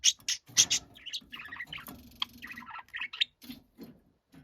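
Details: Noisy pet budgerigar chattering: loud harsh chirps at first, then a busy jumble of scratchy warbles and squeaks, with a low murmuring sound underneath.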